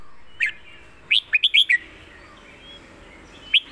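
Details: Master-pattern phrase from a contest red-whiskered bulbul, praised for a good voice and clear phrasing: a lone note, then a rapid string of four or five sweet whistled notes, with another note beginning near the end.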